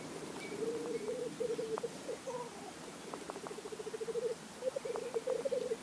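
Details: Lekking blackcock males give long runs of fast, rolling, dove-like bubbling phrases that rise and fall in loudness, with brief higher notes between phrases.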